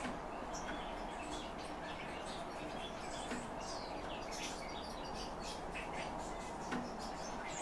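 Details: Song of a calandra lark kept in captivity: a dense, jumbled stream of sharp high chirps and short trills continuing throughout, over a low steady hiss.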